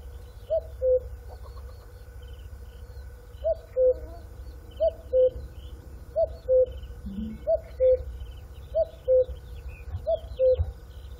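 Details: Cuckoo giving its two-note call, a higher note dropping to a lower one, the pair repeated about every one and a half seconds, with faint chirping of other birds and a steady hum behind.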